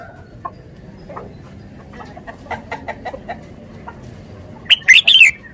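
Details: Red-whiskered bulbul, a caged decoy bird from Thailand, closing with a clear burst of three bright, slurred whistles after a stretch of soft, scattered ticking sounds.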